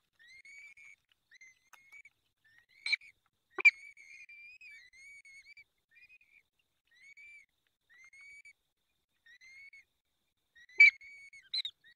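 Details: At a peregrine falcon nest in the Barycz Valley, Poland, fifth feeding, 23 April 2020 at 19:28. Short, slightly arched whistled whines repeat unevenly, broken by a few loud snapping clicks.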